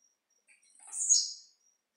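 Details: Blue-black grassquit singing while leaping, one brief buzzy descending phrase preceded by a few soft chips, against a faint high insect ticking.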